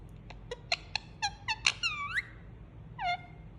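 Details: Indian ringneck parakeet kept as a pet, making soothing sounds while cuddled: a run of quick clicky chirps speeding up, then a rising whistled note and a later drawn-out falling squeak, in a quiet room.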